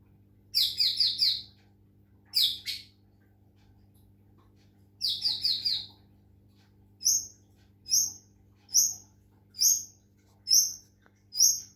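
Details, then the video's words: White-rumped shama, Medan type, singing during water-sound therapy: three quick clusters of high chattering notes separated by pauses, followed by a string of short sharp high notes repeated about once a second. "murai batu medan, terapi suara air lansung gacor"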